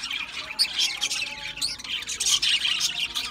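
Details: Feeding budgerigars give an energetic jumble of squawks and high twittering, with loud sharp notes popping out above the steady flock chatter.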